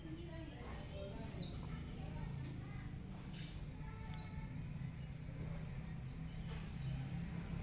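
A white-eye gives high, thin chirps that slide downward, in quick bursts of two or three, over a steady low rumble.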